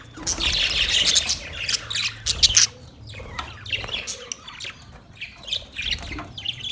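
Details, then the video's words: Budgerigar chatter: a loud burst of dense, high, scratchy chirps and squawks at first, then sparser, softer chirps spaced out toward the end. "Budgies chirping sound"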